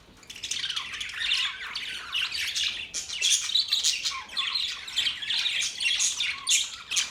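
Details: Australian budgies chattering without pause: a dense, continuous warble of scratchy, buzzy high notes and quick chirps that rises and falls in loudness throughout.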